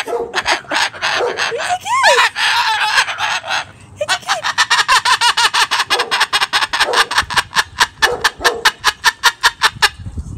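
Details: Misha, a male Moluccan cockatoo (Cacatua moluccensis) at home, laughs loudly at children passing the house: squawky whoops then quick 'ha-ha' bursts, four or five a second, mimicked laughter trying to get them to say hi.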